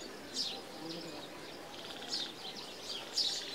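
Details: Asian green bee-eater giving short, high, rolling trilled notes, about five soft bursts in under four seconds, over a faint outdoor background; recorded in India.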